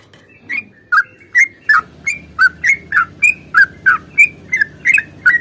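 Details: Sooty-headed bulbul fighting song in a long rapid run, played as a lure to get other bulbuls singing: loud, clipped whistled notes around two kilohertz, some rising and some falling, repeated about three times a second over a faint low hum.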